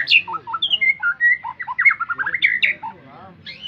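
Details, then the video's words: White-rumped shama singing a rich, varied phrase of clear whistles, quick slurred notes and short chattering trills, shifting rapidly between low and high pitches. "kicau burung Murai Batu"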